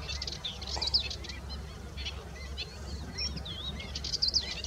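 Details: Pied avocets with chicks giving short, high, clipped chirps and quick fluty notes in scattered bursts, several birds overlapping, over a steady low wind rumble.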